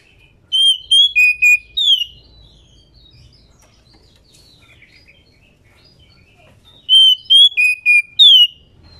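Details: A breeding female White-rumped Shama calls the male, a sound used to prompt males into song. Two bursts of five ringing whistled notes, stepping down then ending in a falling slur, are separated by about five seconds of quiet.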